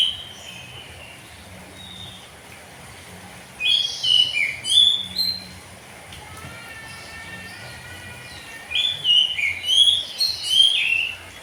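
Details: An oriental magpie-robin sings ngeplong style in the morning in two bursts of sharp, high whistles and chips. A quiet gap holds a faint, rising ladder of notes, then a second bright burst.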